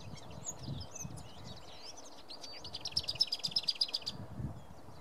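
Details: Lesser whitethroat at Hästhagen, Kalmar, Sweden, 28 April 2017: a scratchy, jumbled warble, then a dry, rapid rattle of about a dozen high notes on one pitch. Other birds call faintly over a steady low hum.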